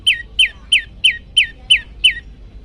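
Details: Prenjak lumut prinia in its loud 'tembakan' song style, used as a training lure for birds: seven clear, downslurred whistled notes spaced about a third of a second apart, evenly repeated over a quiet low hum.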